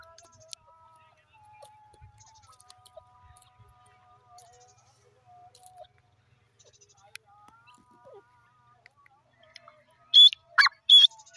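After a long quiet stretch with faint steady tones, a francolin gives two loud, shrill, harsh notes close together near the end.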